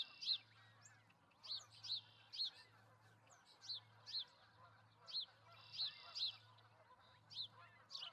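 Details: Pair of wild ospreys at their nest holding two eggs in Charlo, Montana, dated 08/05/2019: sharp, whistled, rising-then-falling chirps, about a dozen in eight seconds at uneven spacing, over a steady low hum.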